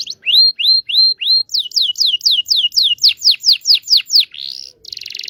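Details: Local Indonesian canary singing a lure for young canaries learning to sing: four clear rising whistles, about a dozen steady falling sweeps, then a buzzy upslurred note and a harsh buzz.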